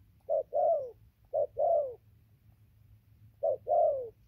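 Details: A spotted dove coos on 15 November 2020: three slower pairs of deep notes, each a short coo followed by a longer falling one, spaced one to two seconds apart, over a low hum.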